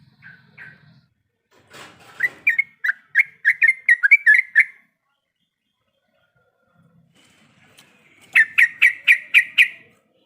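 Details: Female sooty-headed bulbul in breeding condition, calling the male: a few soft chirps, then a quick run of sharp, bright notes, a long pause, and a final fast burst of six ringing chirps.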